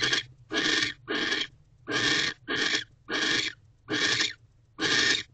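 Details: Owl pair at a nest box during mating, evening of December 20, 2023; eight loud, rough hiss-like screams over five seconds, separated by brief silences, some pairs closer together than others.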